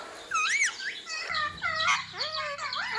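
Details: Ringneck parrot kept as a pet: clear arched whistles rising then falling, repeated several times in three seconds, with a faint steady hum in the background.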